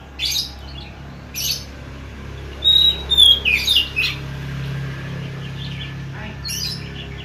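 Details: Oriental magpie-robin in lively, active song: short buzzy bursts near the start, then a run of sharp whistled notes and rapid chirps around the middle, with a faint low hum underneath.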